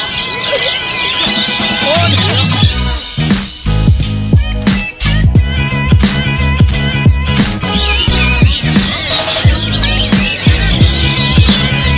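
Loud electronic dance music with a heavy bass beat fills the whole stretch, with no clear animal voice.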